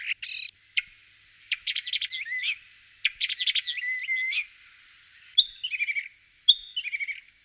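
Common starling giving a jumbled run of raspy chirps, clicks and slurred whistles, ending with two bright whistles each followed by quick stuttering notes; nothing else heard.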